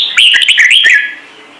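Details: Red-whiskered bulbul singing the Trung Mang voice: one fast, liquid phrase of five or six warbled whistled notes that rise and dip, then fade into quiet.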